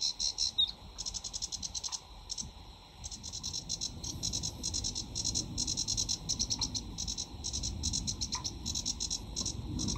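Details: Sedge warbler, a UK summer breeding visitor, singing in full flow: long stretches of dry buzzing trills broken by short gaps, steady and insistent over a faint low rumble.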